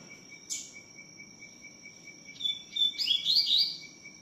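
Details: Double-collared seedeater in tui tiu song: one sharp note, then clear level whistles leading into a fast cascade of rising, buzzy slurs, with a steady high hum and a pulsing trill behind.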